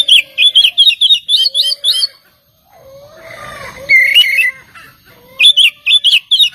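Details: Oriental magpie-robin singing as a lure to provoke rival birds, fast bursts of sharp whistled notes with harsh buzzy overtones, broken by a short silence and a scratchy passage, then another rapid burst of chirps.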